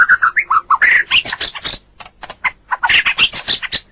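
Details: Training recording of a white-rumped shama in full song for other birds: quick chattering phrases of rich warbled notes and dry clicks, with a short pause before another energetic burst.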